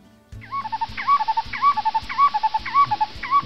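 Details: A monogamous Black-collared Barbet pair, long together and so tightly in sync, duets in rhythmic alternation: a ringing two-part phrase repeated roughly every half second, with a low hum underneath.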